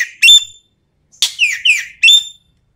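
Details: Sumatran common green magpie, recorded as a lure for training birds: sharp, loud bursts of harsh, squawking whistles and descending chattering notes in three separate phrases, with clean silence between.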